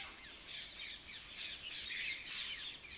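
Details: Several birds chirping at dawn, continuous busy twittering of short high notes and squawky tweets without pause.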